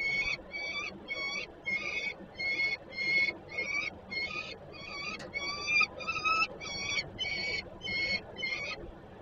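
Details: Young peregrine falcon on a nest-site landing at Żerań, Poland, August 2022, begging while a parent delivers food; a steady series of short, harsh, evenly repeated notes, roughly every half second, over background hum.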